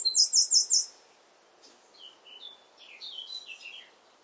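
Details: Wren in full song, competing with the wind: a loud, rapid, very high trill of about five pulses in the first second, a brief pause, then softer, lower chattering and twittering notes over the next two seconds against faint background hiss.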